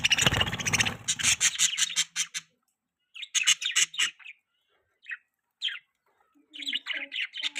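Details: Pet budgerigar mating sounds: bursts of bright chirps and warbling twitter, loud at first, then short separate clusters with gaps of silence between them.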